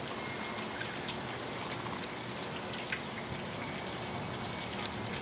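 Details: Steady broadband patter like rain or trickling water fills the whole stretch, with scattered soft drop-like clicks and no animal call.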